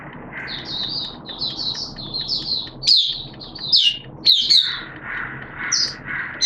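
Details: Caged Oriental white-eye (mata puteh) kept as a hobby songbird, singing during wet, erratic weather on 11 September 2022: quick high twittering chirps and short rising-falling whistles in bursts, over a low background hum.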